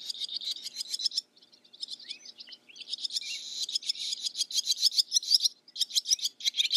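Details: Barn swallow pouring out rapid, rhythmic twittering chirps in long runs, broken by short pauses and a few slurred whistled notes.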